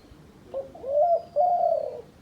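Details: Dove kept by hunters as a decoy bird, giving two mellow, hollow coos. A short, quieter first note leads into a longer, slightly wavering second coo. The background is quiet.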